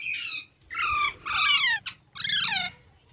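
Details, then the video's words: Green parrot vocalizing: four harsh, layered screeches, each sliding downward in pitch, separated by short pauses in a quiet indoor-sounding setting. "Green Parrot Talking Natural Sounds | Mitthu Ki Awaaz | Tote Ki Awaaz"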